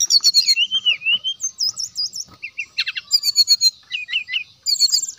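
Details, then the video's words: Rival-baiting song of a brown-chested jungle flycatcher: fast whistled trills, a run of looping upslurred notes, then pulsed, buzzy chattering phrases repeated in quick succession to the end. "SRDC GACOR SRDC NYULING SRDC NGGEPLONG ,SIKATAN"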